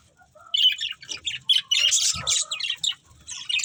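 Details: Budgerigars, a breeding pair kept as pets with their family, chattering in rapid scratchy high chirps and squawks, dense overlapping warbles with brief pauses, continuous lively twittering throughout.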